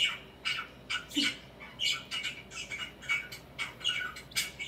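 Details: Indoor pet budgerigar, swinging and preening, gives short harsh squawks and chirps in separate bursts roughly every half second, bright and scratchy over a quiet room background.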